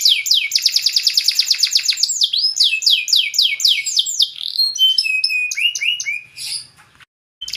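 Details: Canary in full gacor song, played to trigger other canaries to respond: a long, rapid rolling trill, slower repeated downslurs, then varied chips and short whistles, ending in a brief silence.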